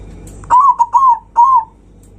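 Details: Loud song of a zebra dove, used to provoke rival birds: three quick mellow cooing notes, a short pause, then one longer smooth note at the same pitch.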